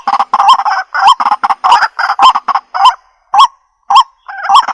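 White-breasted waterhen giving loud, harsh, croaking notes in quick bursts, almost two a second, starting in rapid clusters and thinning to single honks near the end.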